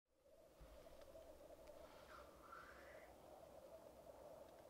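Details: Black grouse at a lek, recorded with a Rode Videomic Go: a steady low bubbling coo runs throughout, with a brief rising, hissing sweep in the middle and faint clicks above.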